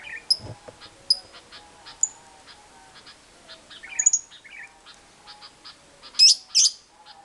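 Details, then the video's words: Lovebird ngekek song, played to prompt quiet lovebirds to sing: scattered sharp high chirps and squeaks over a faint steady hum, then two loud, harsh, shrill bursts close together near the end. "Pancingan Suara Lovebird Ngekek Panjang, Burung LB Gak Bunyi Jadi Gacor Ngekek Panjang"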